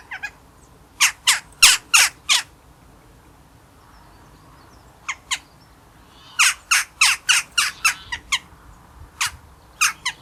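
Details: Eurasian jackdaw calling in the wild: short, sharp, harsh notes fired in quick bursts of four to eight, with brief quiet pauses between runs, over a low steady background rumble.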